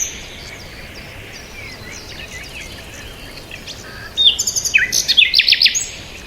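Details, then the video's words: Quiet start with faint distant twitters, then a sudden rapid burst of loud, sharp bird chirps lasting about a second and a half. "bird chirping sound"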